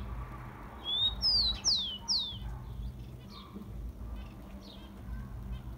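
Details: Rufous-collared sparrow singing one phrase, a recording meant to warm up captive birds: a thin steady whistle leading into three loud downward-sliding whistles, then softer distant chirps against a constant low hum.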